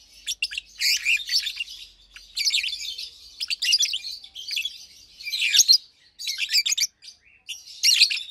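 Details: Two adult Fischer's lovebirds, almost two years old, one pastel green with orange around the face and one blue with a white head, chirp and sing by day: bursts of bright, scratchy, high twittering separated by short pauses.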